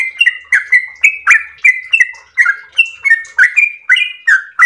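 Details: Full-voiced yellow-vented bulbul in a long 'ropel' song: bold, fluty whistles with swooping slurs, delivered rapidly at around three notes per second, loud and close.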